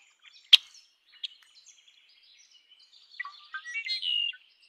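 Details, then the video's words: Red-winged blackbird: a sharp click, then soft scattered notes, building near the end into a louder run of short notes that ends in a buzzy trill lasting almost a second. "Red winged blackbird Sound"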